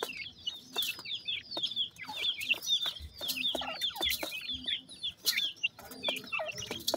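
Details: High, thin, repeated peeps from pheasant chicks eating feed, coming in quick, overlapping runs, with sharp pecking taps at the feed in between.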